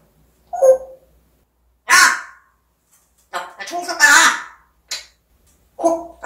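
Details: African grey parrot kept as a pet, producing a series of separate speech-like bursts and harsh squawk-like calls spaced about one to two seconds apart, some broadband and raspy, others more tonal.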